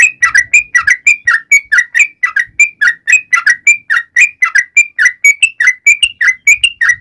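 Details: Sooty-headed bulbul calling to its companions: an unbroken series of liquid, bubbly whistled notes at an even quick pace, alternating high and low, with faint low thumps.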